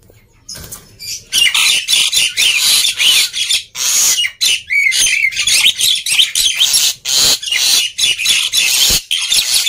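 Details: Noisy, energetic black-winged myna song used to prompt quiet mynas to sing, a near-continuous stream of harsh grating chatter with brief whistled inflections, pulsing in quick bursts.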